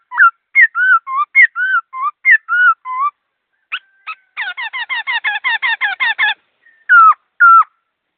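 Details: Caged laughingthrush delivering quick, clear song. Alternating looping whistles come first, then a dense run of about fifteen rapid stacked notes and two closing downward whistles.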